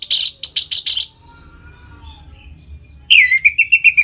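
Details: Orange-headed thrush performing ngeplong song to bring captive birds into breeding mood: a burst of harsh, noisy notes, a quiet stretch, then a run of clear, repeated whistled notes at a steady quick pace.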